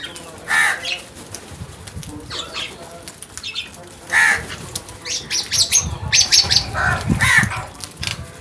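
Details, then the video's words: A group of crows making a brutal attack on food: harsh rasping caws at widely spaced intervals, mixed with bursts of wing flapping, rustling and scattered thin chirps from other birds. "Number of Crows Brutal Attack on Food | Crows Sounds"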